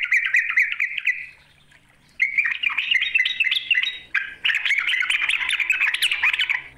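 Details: Sooty-headed bulbul calling a rival: bright chattering phrases of quick warbled notes, a short pause, then longer, busier bubbling runs that rise and fall.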